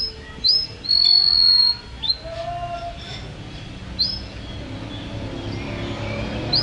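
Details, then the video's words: Canary song from a champion singer opens with quick upslurs and a held high whistle, then scattered sharp chips and softer notes, with steady low hum underneath. "Video Burung Kenari Juara Gacor"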